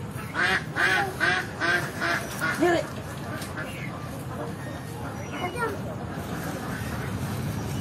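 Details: Native ducks, many together, moving through water and calling; a run of loud nasal quacks repeats quickly for about three seconds, then fainter scattered quacks over a steady background hum.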